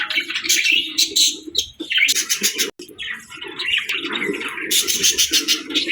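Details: Pet budgerigars at feeding time keep up a dense, busy chirping and warbling, with quick overlapping twitters and short buzzy notes and a brief pause near the middle.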